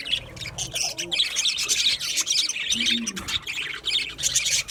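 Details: Budgerigars chirping in an aviary: a dense flock chorus of rapid, scratchy high chirps and chatter, continuous with brief pauses, plus a few softer lower warbling notes.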